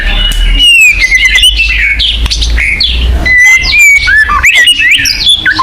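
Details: White-rumped shama (murai batu) song combination, used as a lure to make caged shamas sing and rouse territorial instinct: varied loud whistles, sliding and looping phrases with sharp chips, over a low steady hum.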